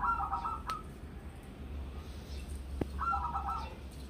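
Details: Local zebra dove, wild-caught and kept since young, singing as a lure recording: two stuttering cooing phrases, each a quick run of mid-pitched notes, over a low rumbling background with a single sharp click.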